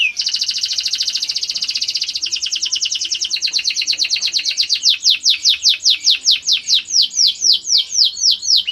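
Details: Fighting canary training song: a dense buzzy trill that gradually opens into clear, spaced down-sweeping whistles repeated about twice a second toward the end.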